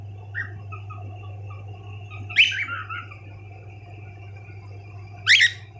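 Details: Several pet cockatiels indoors: faint soft chips, then a louder descending chirp series and a sharp rising call near the end, over a low steady hum.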